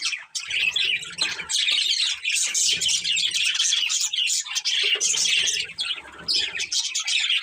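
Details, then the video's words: Breeding pair of budgerigars in steady, rich chattering song of rapid chirps and squeaky warbles, with faint low rustling below. "Cute Budgies Chirping Sounds"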